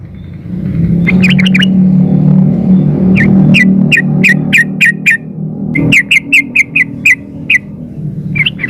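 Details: Sooty-headed bulbul female calling a male: after a brief chatter, clear clipped chirps repeat about every third of a second in long even runs, with a low rumble early on.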